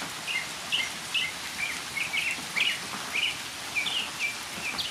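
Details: Northern mockingbird in rainfall delivering a run of short, sharp chirped phrases, each repeated a few times before switching, bright and high-pitched over constant falling rain.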